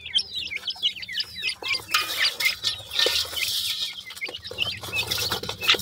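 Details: Grey francolin chicks: a quick burst of high curved peeps at the start, then a rushing hiss covers much of the sound while scattered chirps continue beneath it.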